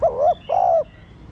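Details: A single spotted dove phrase, used to stimulate captive doves: a short low coo followed by a longer, slightly falling hoot.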